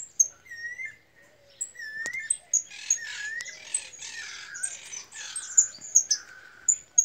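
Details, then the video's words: Female European goldfinch, described as angry, giving thin high chirps and rising whistled notes, followed by a long stretch of harsh buzzy, scratchy chatter mixed with sharp tweets. "hembra de jilguero enojada"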